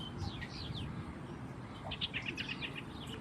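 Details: White-rumped munia, while eating seeds, giving thin, high chirps: scattered at first, then a quick run of five or six short notes, over a steady low rumble.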